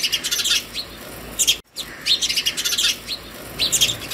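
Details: House sparrows at a hanging feeder at a home in the early morning give bright, rapid chirps in busy overlapping bursts, calling other sparrows to food, with a brief silent gap partway through.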